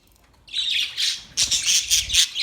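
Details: Australian budgerigars break into loud, harsh squawking chatter after half a second of quiet, with pulsed scratchy notes repeating toward the end.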